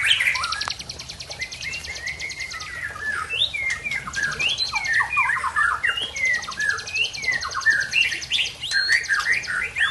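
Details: White-rumped shama of Aceh, from Tangse, running through its learned repertoire: quick jumbled whistles and chirps, with a buzzy rattling trill twice in the background.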